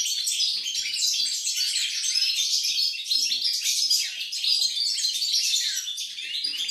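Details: Recorded 28 November 2020, a European goldfinch pours out continuous twittering song: high tinkling notes, fast trills and wheezy buzzes blended into a seamless, chattering stream.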